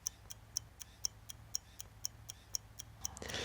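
Sharp, evenly spaced ticks like a clock repeat about twice a second, ending in a short burst of broadband noise.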